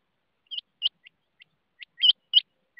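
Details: Rain quail calling in high, sharp paired notes, mixed with fainter, shorter notes between and after the pairs.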